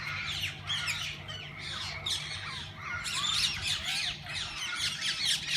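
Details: Caged parakeets of different kinds in a walk-in aviary at a parrot park, where visitors feed and handle them. Rapid, irregular high squawks and chirps tumble together, growing busier after three seconds, with a low hum beneath.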